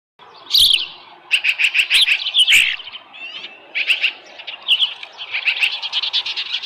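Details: Osprey at its nest at Dunrovin Ranch with a small live fish, 13 July 2018, 7:10 a.m.; bursts of high, sharp whistled chirps in quick runs, pausing briefly between series.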